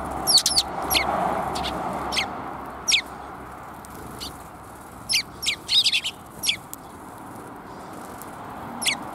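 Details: Several bold sparrows greeting someone on the way out, 27 April 2021. Short, sharp, high chirps come irregularly, some singly and some in quick bursts of two or three, over a steady low rumbling background.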